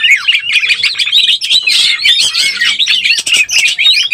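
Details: Oriental magpie-robin in breeding condition, played as a lure: fast, varied whistled song with trills, slurred notes and scratchy chirps packed closely together.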